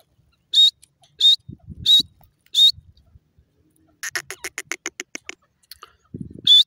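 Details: Wild grey francolin calling: loud high whistled notes repeated about every 0.7 seconds, then a rapid series of short harsh pulses, with low thumping noises between calls.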